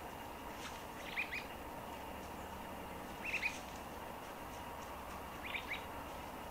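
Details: White-browed babblers foraging in ground-storey leaf litter in Victoria, Australia, in June 2020, give short bursts of harsh, chattering notes about every two seconds, over steady background hiss.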